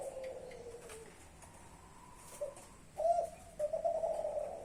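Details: Young spotted dove, Klantan type from champion stock, ending a falling coo, then after a quiet gap giving a sharp accented hoot followed by a steady prolonged coo.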